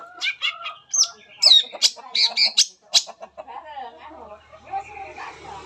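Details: Long-tailed shrike (cendet) singing its full repertoire, used to prompt other shrikes to sing: rapid mix of harsh bursts, high chirps and short whistles crowded together, with a fainter jumble of softer notes toward the end.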